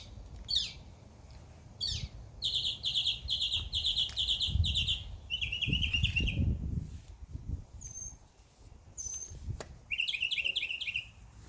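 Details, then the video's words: Summer backyard birds chirping: quick clicks, then a long rapid trill of high repeated notes, a lower buzzy trill, brief thin high whistles and another fast trill near the end, with a low rumble underneath. "Birds Chirping Sound"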